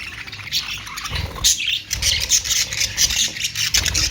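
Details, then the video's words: Budgerigars, called Australian parrots, keep up a dense, high chattering of squawks and warbled chirps, rising in bursts after the first second, over a low background rumble. "Austrailian perrot beautiful sound"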